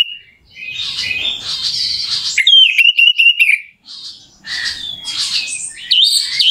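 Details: Orange-headed thrush in a lure recording for rousing a bird to sing: harsh scratchy warbling, a clear whistled phrase with quick flicks, then more rasping jumbled notes.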